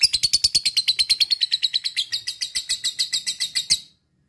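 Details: Lovebird singing ngekek, used to stimulate other lovebirds to sing diligently: a quick, regular train of raspy chattering notes at an even pace for nearly four seconds, ending abruptly in silence.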